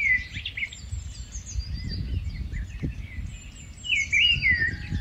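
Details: Rufous-tailed scrub robin, a migratory bird, singing a bright warbled phrase that rises and falls around the middle pitch range near the end, over other birds' high thin whistles and low rumbling background noise.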